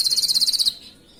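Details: Canary master song for training other canaries: a short burst of very high rapid pulsed notes, about nine in quick succession, ending abruptly into near silence.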